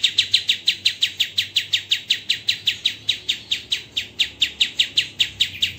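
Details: White-rumped shama in the tembakan style, recorded as a master for songbird training: steady, evenly spaced sharp high chips, roughly four per second, with each note fading quickly.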